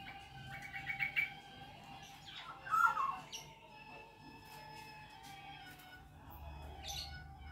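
Black-naped oriole giving a few short, fluty whistled phrases, the clearest a liquid slurred note near the middle, over a steady background hum.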